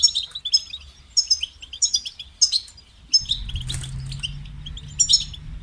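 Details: Goldfinch song of repeated short twittering phrases about every half second, then a low steady hum and a loud rustle join midway.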